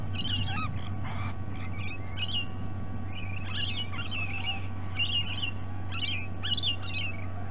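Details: Rainbow lorikeets at breakfast time, Sydney Olympic Park, Australia, on a fixed camera: shrill, grating screeches repeated in quick bursts, several birds calling together, with a constant low hum beneath.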